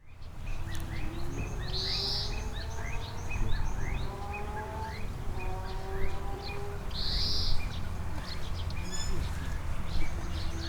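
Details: Adult long-eared owl calling near its growing chicks as many emergency vehicles with sirens pass nearby. Short, sharp, falling notes repeat about twice a second over steady tonal siren-like lines and a constant low rumble.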